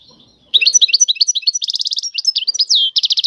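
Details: European goldfinch singing tiwawati song. A brisk stream of twisted chirps and whistles is broken by two buzzy trill bursts and a long downward slur.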